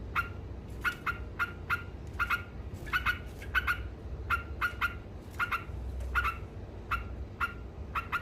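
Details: Sooty-headed bulbul in lively ngekek song: short, harsh, chattering notes in quick clusters, separated by brief pauses, over a steady low hum.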